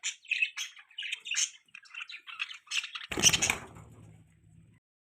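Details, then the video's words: Baby budgie held on an owner's hand, giving a series of separate high chirps for about three seconds before a loud scratchy rustle of handling ends the sequence. "Beautiful Baby Budgie Chirping sound"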